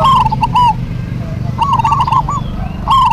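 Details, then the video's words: Local zebra doves duetting loudly: bubbling, rolling coo phrases at the start, a longer quavering run in the middle and another burst at the end, over low background noise. "DUET PERKUTUT LOKAL GACOR PALING RAME PASTI SEMUA NYAUT"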